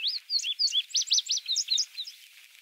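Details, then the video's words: Indigo bunting male on Goose Lake Prairie, Illinois, late May 2016, delivering a full song of high, clear paired notes: swooping slurs, then a rhythmic run of sharp arched notes, fading into softer final phrases. "INDIGO BUNTING male singing"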